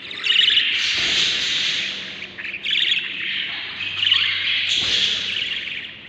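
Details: Budgerigar chicks in the nest, seven hatchlings on day 38; long drawn-out hissing rasps lasting one to two seconds each, loud and overlapping, with short gaps between.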